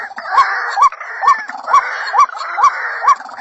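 A White-breasted Waterhen gives a steady series of hoarse, clucking notes, about two every second, with a dense mid-pitched rasp running underneath.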